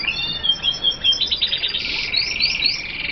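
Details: Hooded siskins, F1 birds from Colombia: a high twittering run of short chirps and slurred notes, with a rapid rattling trill and rising buzzy notes toward the end.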